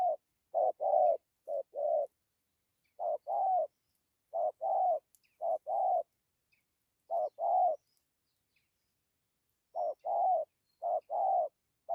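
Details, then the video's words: Spotted dove with a good coo, dặm with gù style: clusters of short, soft, hollow notes in bursts separated by silent gaps of one to two seconds. "Thổ tốt tiếng gù tốt dặm kèm gù"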